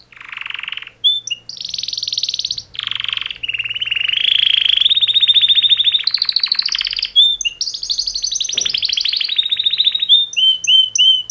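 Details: A canary mating call song from two males, with raspy buzzing blocks, a long fast rolling trill rising then falling in pitch, and crisp repeated chirps at the close; faint low hum underneath.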